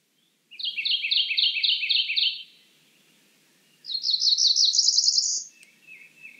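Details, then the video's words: Cerulean warbler: a long string of doubled buzzy notes, then a second phrase climbing quickly into a high trill, with a soft lower buzz trailing after. "Cerulean warbler Calling."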